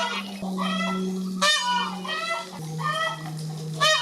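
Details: Peacock giving loud, nasal, honking calls with rich harmonics, several overlapping cries in quick succession, over a steady low hum that runs throughout.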